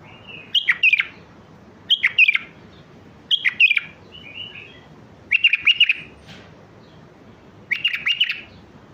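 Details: Mandali-type bulbul song used to train young birds: five short, rich warbling phrases spaced roughly every one to two seconds, each a cluster of quick descending whistled notes, in a quiet setting.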